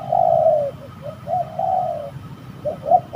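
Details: Fighting spotted doves at a bird-trapping spot utter drawn-out, hollow coos followed by shorter clipped notes, loud and close over a low background rumble.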